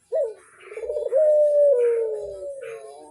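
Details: Barbary dove calling vigorously to stimulate other doves to join in: a brief low coo, then a long drawn, mellow tone that slides gently downward and fades over about two seconds.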